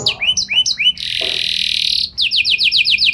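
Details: Canary song with three upswept chirps, a broad harsh buzzing passage, then a run of quick repeated descending notes.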